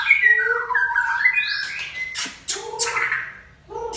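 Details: Varied white-rumped shama song from an Aceh-type bird: sliding whistled notes and squawky chattering phrases delivered in quick succession, with sharp high accents near the end.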